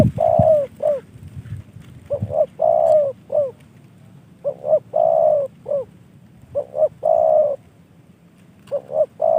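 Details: Spotted dove in a cage, trained as a decoy, cooing steadily: phrases of two clipped notes leading into a longer coo and a short end note, repeated four times.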